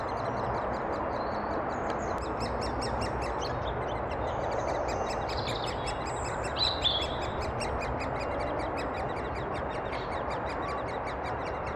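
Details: In Thurrock woods on 20 May 2014, great spotted woodpecker adults feed chicks, captured with a FinePix HS50EXR; a quick, unbroken rhythm of high pulsed notes continues while other birds give scattered thin whistles, over a steady hiss.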